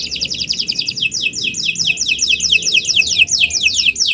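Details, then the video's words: Canary singing a training song for other birds: loud downward-sweeping notes repeated quickly and steadily, about two to three a second, over a faint low background murmur. "Kicau Burung Kenari 179 II LUAR BIASA GACOR PANJANG Cocok untuk Masteran"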